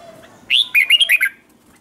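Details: Red-whiskered bulbul singing as a training song to stimulate other bulbuls to sing: a single short phrase of five quick, clear, warbling notes rising then falling, loud against a quiet background.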